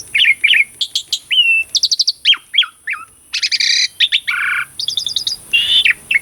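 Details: Lively Asian pied starling song, meant to provoke birds that have stopped singing: quick varied phrases of bright whistles, buzzy stacked notes and trills packed closely together.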